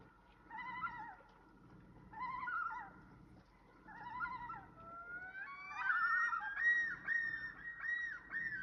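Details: Loons at night on the Shield: three short, quavering phrases about two seconds apart, then long, rising, overlapping wails ringing out against a quiet background.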